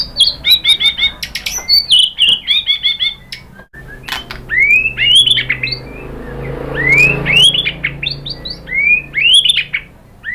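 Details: White-rumped shama song as a lure for answering birds: a rapid stuttering series of sharp notes, then a string of loud upswept whistles repeated at irregular intervals, with some low rumble in the background.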